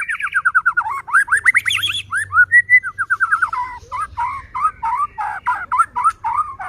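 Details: White-rumped shama, a caged songbird whose loud singing is used to provoke other shamas into singing; a rapid run of repeated downslurred whistles, then varied chattering and whistled phrases in quick succession.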